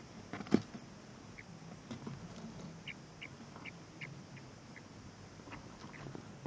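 Chukar chicks give soft, high, short peeps at irregular intervals, roughly one or two a second, over low rustling, with one sharp knock near the start.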